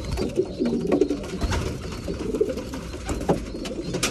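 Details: At feeding time, breeding pigeons give soft, low, throaty coos in short bursts, mixed with scattered clicks and tapping from pecking.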